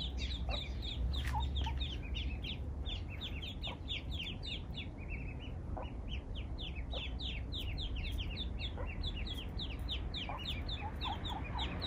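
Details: A brood of eastern spot-billed ducklings with their mother, strayed into a place with no ponds, rivers or water nearby, peep constantly. Their thin high notes come several per second over a steady low rumble.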